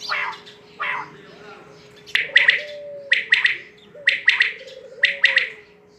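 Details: Quail calling in sharp three-note bursts, each triplet repeated roughly once a second, preceded by two softer, smeared notes; a steady low hum and faint sliding whistles run underneath.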